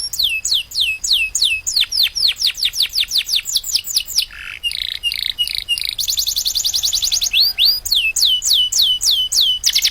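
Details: Canary training song for caged birds: repeated high, falling whistled sweeps, interrupted by a brief harsh note, then a fast, buzzy, high trill before the sweeping whistles return.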